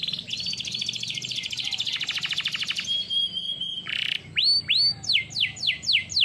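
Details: Canary song used for training: dense rapid high trills, a brief buzzy burst, then clear upslurred whistles and a series of repeated downward-swooping notes.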